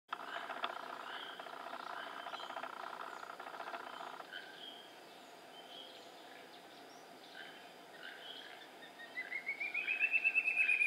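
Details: Ivory-billed woodcreeper in Cerro Azul Meámbar National Park on 18 February 2017 gives a fast series of whistled notes that rise in pitch and swell in volume near the end, after a stretch of steady background noise.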